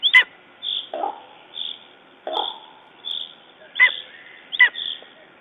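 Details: After a raven attack at its Estonian nest on 14 June 2011, a Lesser spotted eagle utters irregular yelps, some sharp and high, others lower and hoarser, spaced unevenly among soft repeated background notes.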